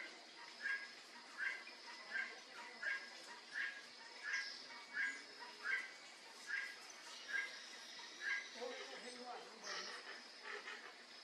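Great kiskadee giving loud, harsh mid-pitched notes repeated about every three-quarters of a second, over a steady high insect-like hiss.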